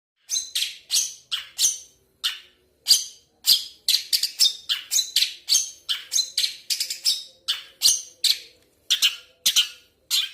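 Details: Long-tailed shrike giving a rapid series of harsh, scratchy, squawking notes, each burst short and buzzy, delivered in irregular quick runs with brief gaps, loud and close with no other sounds.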